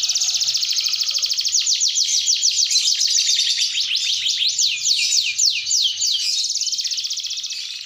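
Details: Panda canary delivering a long, nonstop rolling song: dense, high buzzy trill of quick repeated strokes, changing pattern midway and fading slightly at the end.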